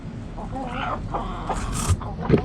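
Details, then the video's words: Backyard chickens: a louder drawn-out hen call with rising and falling tones, then brief clucks and scratchy noises nearby against low hum. "Backyard Chickens Relaxing Sounds Noises Video Hens Clucking Roosters Crowing!"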